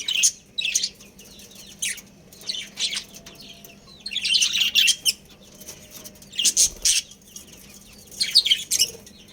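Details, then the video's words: Domestic budgerigars, a breeding pair, chirp in scattered bursts of high, scratchy twittering, busiest in the middle and end, with a low background hum. "Adorable Budgies Chirping Sounds"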